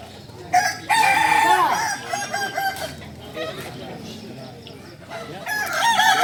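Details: Kukuak Balenggek rooster, singing chicken native to Solok, at crowing performance training. A loud crow near the start breaks into stuttering, stepped syllables. Quieter clucking follows, and another crow begins at the end.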